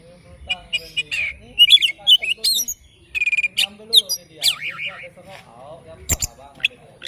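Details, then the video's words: Morning song of an oriental magpie-robin, a loud, varied stream of whistled slurs, buzzy trills and rapid chirps, with a brief pause midway and sharp clicks near the end. "Kicauan Kacer Dipagi Hari"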